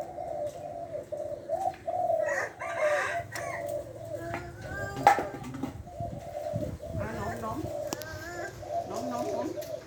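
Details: Lopburi, Thailand spotted dove kept as a medium-voiced one-kuk decoy bird, cooing in low rolling phrases through the first half, then mixed with other chirping bird calls, knocks and clatter.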